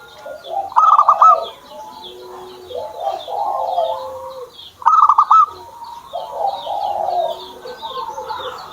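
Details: Zebra dove kept at home: two bursts of rapid pulsed cooing about four seconds apart, over steady lower murmuring coos. A dense chorus of high repeated chirps from other birds runs throughout.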